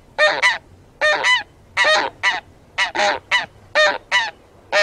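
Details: Taiga bean goose giving loud nasal honks, mostly in doubled bursts repeated roughly every second, harmonic and slightly rising, against a quiet background.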